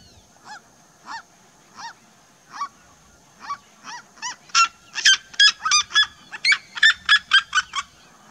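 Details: Red-legged seriema flock calling together: loud yelping notes, spaced and soft at first, then quickening and intensifying into a dense series of sharp yelps, several birds overlapping.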